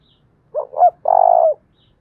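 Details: Single thúc bổi phrase from a spotted dove lure bird with a thổ đồng voice: two short rising notes, then a half-second burry coo that tails off slightly lower.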